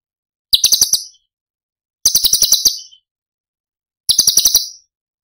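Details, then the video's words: Cucak cungkok masteran tembakan: three evenly spaced short rattling trills, about every two seconds, each a quick series of sharp high buzzy pulses. "Cucak Cungkok Istimewa ~ Tembakan Istimewa Cililin"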